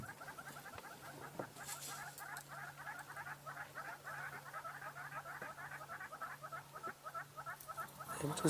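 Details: Hornbills calling from a tree at sunset, heard but not seen, give a fast, steady run of hollow clucking notes over the low hum of an idling safari vehicle.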